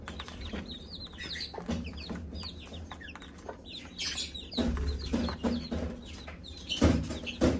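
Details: Mother hen calling her chicks to eat: low, repeated clucks under a busy chorus of high, short chick peeps, with scratching and knocking noises throughout.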